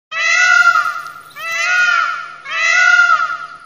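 A peacock gives three loud, nasal, wailing cries, each about a second long and coming in quick succession, with a slight waver in pitch.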